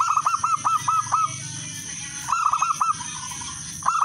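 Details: A zebra dove of local wild stock sings to lure other doves into singing, its voice clear and melodious. Rapid trains of seven or eight staccato coos form one long phrase, then shorter repeats, against a constant high hum.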